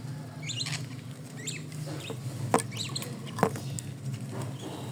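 A pet bird gives short, high chirps and upward squeaks about once a second, with a steady low hum and a couple of sharp knocks.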